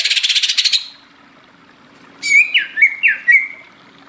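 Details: Lively greater green leafbird song opening with a harsh, rapid buzzing rattle, followed after a pause by three loud whistled notes that dip and rise.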